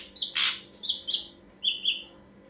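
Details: Ashy drongo song used as a lure: short whistled notes around a harsh rasping burst, a pair of bright whistles, then two lower paired whistles, clean and close.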